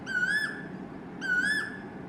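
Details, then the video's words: Two loud whistled koel notes from a male Asian koel, each a drawn-out rising 'ko-el' about a second apart, ringing and pure against faint low background noise. "Asian Koel Bird Singing | Cuckoo bird Sound | Koyal ki Awaaz"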